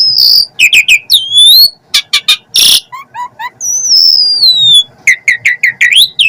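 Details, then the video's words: Asian pied starling song mixing short stacked clicks, a long descending whistle, a harsh raspy burst and fast repeated chips, with loud, abrupt changes in pattern. "Jalak Suren Gacor Full Isian,,,!!! Dengar Sesaat Emosi Burung Jalak Manapun Langsung Naik Auto NYAUT"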